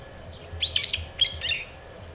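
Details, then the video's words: Brown-eared bulbul calling: two loud, harsh, squealing phrases of rising and falling notes, over a low background rumble. "직바구리 우는 소리"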